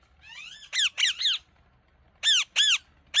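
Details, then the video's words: Pet parrot at play: a soft rising whistle, then loud harsh squawks with sharply arched, downslurred notes in pairs and triples, separated by short pauses. "My Cute Parrot Playing & Talking"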